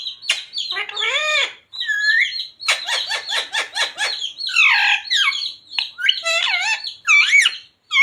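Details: Talking parrot kept as a pet, known to say "Radhe Radhe" and "Sita Ram": busy stream of harmonic speech-like phrases, rapid clicking pulses and shrill rising squeaks, almost without pause.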